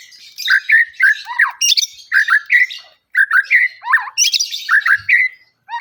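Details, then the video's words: White-rumped shama (murai batu), 'pastol' singing. Loud, rich, fast phrases of slurred whistles, chattering notes and harsh squawks come in bursts of about a second, broken by brief pauses. "murai pastol"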